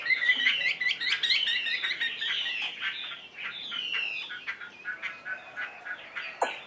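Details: Chinese hwamei, a tamed cage bird with its tail fanned, giving a softer, more distant-sounding jumble of quick whistles and chattering notes, ending with a sharp tap-like sound.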